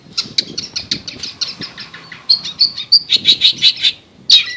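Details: Long-tailed shrike, called a fighter: soft scratchy chatter with faint low rumbling, then a clear series of evenly spaced high whistled chirps, followed by one louder slurred note.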